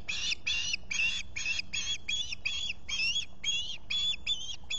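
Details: Osprey calling at its Finger Lakes nest, US, on a July 2021 morning with a visitor present, taken by a solar nest camera: a steady run of about twelve sharp, squealing chirps, roughly three per second, over faint low rumble.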